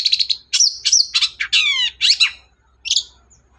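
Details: Long-tailed shrike singing actively, played to prompt a silent shrike to sing: a fast varied run of harsh chattering notes, buzzy trills and a slurred descending sweep, ending with a brief gap and a final rasp.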